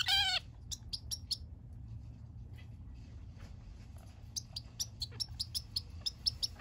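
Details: Pet zebra finch on its third day in a new home, apparently enjoying a massage, gives a loud nasal call, then short high squeaky chirps speeding to about two a second, over low room hum; Zebra finch.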